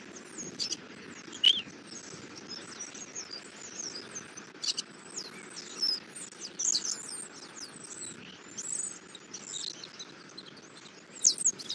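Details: Feeding time at a bald eagle nest in Southwest Florida, 11:00, 8 February 2024, the male having brought a catfish for the eaglet: scattered shrill, squeaky high chirps and slurred notes throughout, with a constant insect and bird chorus behind.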